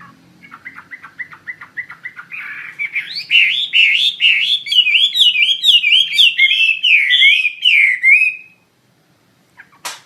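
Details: Actively singing wambi mandarin bird opening with a quick series of short chirps, then rising into a loud flowing chain of looping whistled notes that climb higher and waver rapidly before ending suddenly.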